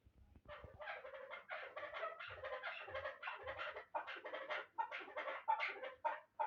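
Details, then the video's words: Chukar partridge from Bartang in the Pamirs, a young bird from last year's brood described as a good partridge for hunting, giving a fast run of harsh clucking chuk notes, about four a second, quieter and steady throughout. "Кабки Помир"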